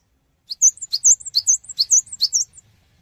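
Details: Cinereous tit singing energetically as a lure sound meant to draw a quick answer from other birds: after a short pause, a fast series of high, sharp, twisting chirps, roughly two or three per second, stopping abruptly.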